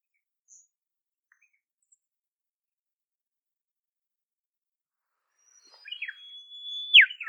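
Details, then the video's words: A shy Olive Whistler (Pachycephala olivacea) calling in the wild in temperate forest of southeastern Australia: one long, clear, high level whistle, then a sharp down-slurred note, after nearly six seconds of silence. "Olive Whistler Call"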